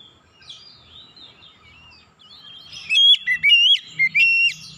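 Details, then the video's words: Oriental magpie-robin lure song for coaxing other birds to sing: soft, faint warbling at first, then a loud burst of fast, clear whistles with wavering and upswept notes near the end. "kicauan Kacer pemikat"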